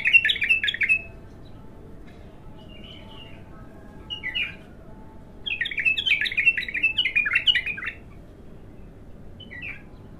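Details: Untrained bulbul on its first singing outing: loud bubbly warbled phrases in bursts, a long rich rolling phrase mid-way, separated by quiet pauses and ending with a short chirp.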